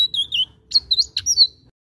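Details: Blue-eared kingfisher calling actively: a few thin, high, piercing whistled notes in two short bursts, some slightly downslurred, with quiet low background hum between them.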